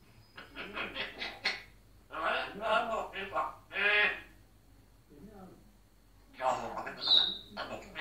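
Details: Caged African grey parrot in Egypt talking in a deep, man-like voice: bursts of speech-like syllables separated by short pauses, ending with a thin high whistle.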